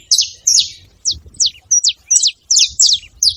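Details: Saffron finch chirping in a tree: loud, clean high notes sliding downward, given in an uneven string of about ten over three seconds.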